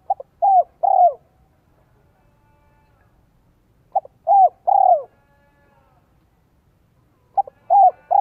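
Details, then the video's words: A decoy spotted dove from Vietnam, kept to lure wild doves and prized for its 'giọng son 1 cốt lỡ' style, delivers three coo phrases spaced about three seconds apart, each a brief stutter followed by two drawn-out falling coos. "CHIM CU GÁY GIỌNG SON 1 CỐT LỠ KÍCH BỔI NHANH NỔI HIỆU QUẢ NHẤT"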